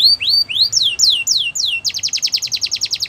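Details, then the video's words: A Belgian canary sings a string of high, downward-slurred whistles, then breaks into a fast, even trill of about a dozen rapid notes. "Canaries Will Never Stop Singing"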